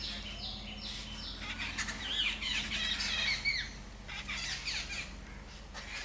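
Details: After long hours of rain, birds return and chirp together: a busy mix of overlapping squeaky notes, harsher squawks and quick twitters, several callers at once, with a steady low hum beneath.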